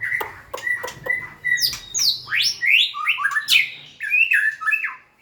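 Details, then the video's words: White-rumped shama song starting with evenly spaced clicks and short whistles, then sweeping high notes and a quick series of varied whistled phrases. "Big Sound Birds Singing Chirping, Dancing And Beautiful Tails Wagging - Birds White-rumped shama"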